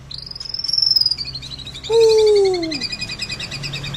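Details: White-rumped shama in vigorous full-fill song: a long high thin whistle arching then fading, followed by a strong downslurred whistle, with a fast, rapidly pulsing high chatter running alongside and a low background hum.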